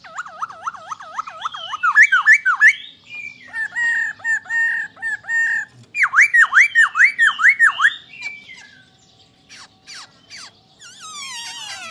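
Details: Masked laughingthrush song of fast rolling whistles, wavering notes at first, then quick clustered bursts of hooked whistled notes, tailing off into scattered chatter.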